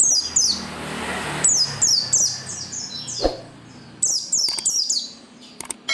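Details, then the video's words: Persistent oriental white-eye song used to prompt other white-eyes to sing: very high, sharp down-slurred chips in quick runs, broken by a short pause and a faint low thud, then resuming in dense twittering phrases. "SUARA PELECI GACOR NGOTOT BIKIN PELECI LAIN RAJIN BUNYI BUKA PARUH"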